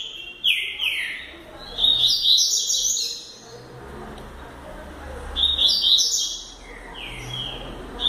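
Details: Young double-collared seedeater in training as a future champion singer of the fast 'velocista' style, giving two bursts of bright, rapid whistled and buzzy notes, each starting with a downslurred whistle and then a twittering flourish, separated by quieter pauses.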